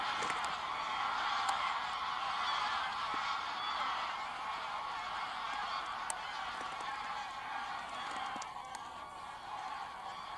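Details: A big gathering of geese at Wicken Fen and Burwell Fen, 23 September 2016 evening, taking off and landing; steady roar of overlapping honks from countless birds, fading slightly toward the end.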